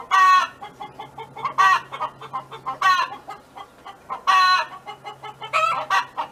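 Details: A neighbour's farm hen sings, giving five loud, drawn-out, harmonic calls at uneven intervals, with quieter quick clucking filling the gaps.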